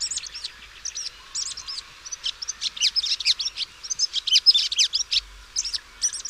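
A Red-backed Shrike's quiet, chattering song: a fast, irregular stream of short, varied squeaky and scratchy high notes, with mimicked snippets mixed in.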